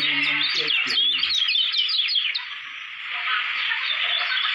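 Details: Lombok white-eye, a contest candidate bird, sings in a dense, fast stream of high chirps and twitters that runs without a break, with some low murmuring at the start.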